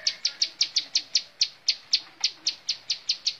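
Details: A bar-winged prinia sings in the 'montal mantul' style, giving a loud, even series of short, piercing high chips. Roughly four notes per second, with one brief hesitation midway, and no other clear sounds.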